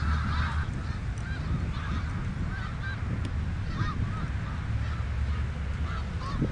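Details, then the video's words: A flock of snow geese on the Richelieu River calling steadily, many short nasal honks overlapping into a busy chatter, with a loud low rumble of wind or water running through. "Snow greese on Richelieu r"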